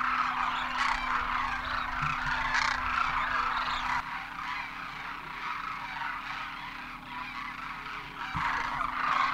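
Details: Thousands of wild Demoiselle cranes, or Koonj, landing at a water hole in Khichan, Rajasthan, India, during winter migration after crossing the Himalaya. A dense, continuous chorus of overlapping rolling, croaking calls rises and falls over a steady low hum.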